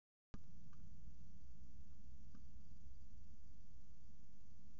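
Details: Steady low hum and faint background noise after a brief silence, with no animal voices heard.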